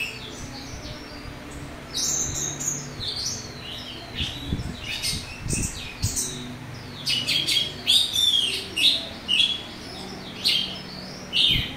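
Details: An orange-headed thrush sings a loud, harsh "rough-fill" song of varied scratchy chirps and clear notes in bursts every second or so, used to provoke other thrushes into responding, over a low background hum.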